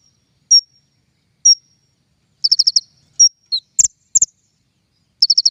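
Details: King konin lure recording for trapping: sparse, thin, high whistled notes, a couple of short ticking bursts and a downslurred note, separated by silent gaps.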